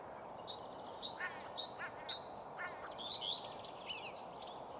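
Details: Common redstart singing at Nysved, Norra Järvafältet, with quick high whistles, twittering and a few harsh buzzy phrases; blue tit, black-headed gull, willow warbler, chaffinch, lapwing, song thrush and others are heard in the background over hiss.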